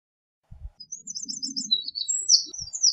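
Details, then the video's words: Eurasian wren giving a quieter burst of high, tinkling notes and quick trills for about two and a half seconds, with low thuds and a faint murmur beneath. "Eurasian Wren Bird Song, Call, Chirp, voices, Sound - Chochín Común Canto"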